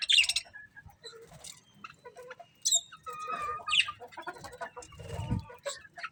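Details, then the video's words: Colourful budgies chirp in scattered high squeaks and short warbled phrases, with soft lower chatter and a muffled thump near the end. "Beautiful Colourful Budgies Chirping Sounds"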